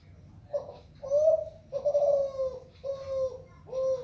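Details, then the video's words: Zebra dove from Kelantan singing a melodious cooing song: a run of four or five soft, rolling coo phrases, each about half a second long, delivered close together with a slight falling end, indoors-sounding with low background hum. "Suara burung derkuku kelantan suara merdu"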